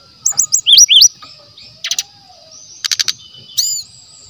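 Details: Brown-chested jungle flycatcher, a genuine forest bird in natural voice, used as lure material: quick looping whistled chirps, then short noisy bursts and a final rising, curling note separated by pauses.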